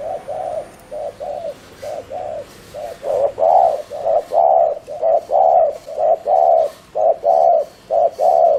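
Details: Fast 'gù' cooing from a caged spotted dove decoy used to lure wild doves. A steady run of soft, low paired coos, short then drawn out, that grows louder midway and repeats roughly every second.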